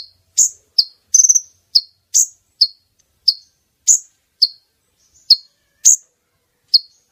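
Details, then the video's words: Female brown-throated sunbird calling, used to entice males near for capture. Shrill, short, falling chips repeat at uneven intervals, with one quick rattled trill near the start and a few fainter high notes. "Pemikat kolibri ninja jantan,||, suara konin betina!!"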